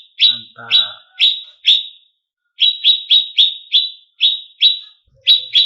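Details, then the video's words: Greater green leafbird, cucak cungkok, master recording for rousing contest birds: clipped, falling chip notes in quick bursts separated by short silences, with a brief soft rattle early on. "Pancingan Cucak Cungkok Emosi"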